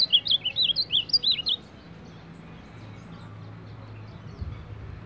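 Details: Baderna-style song from a champion ultramarine grosbeak: a quick, jumbled string of loud, high whistled notes, zigzagging up and down for about a second and a half, followed by low background hum.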